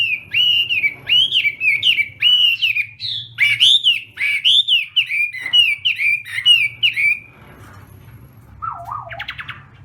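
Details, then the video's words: Chinese hwamei singing in a contest during morning voice training: loud run of whistled, bending notes repeated rapidly for seven seconds, then a quieter rising-falling wavering phrase near the end. "Hoạ Mi Hót Đấu /hoạ mi hót sáng luyện giọng"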